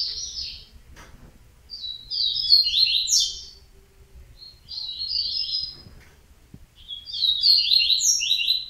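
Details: Yellow-bellied seedeater repeating high, fast twittered phrases of one to two seconds, separated by short silences, the third and final phrases loudest and most elaborate.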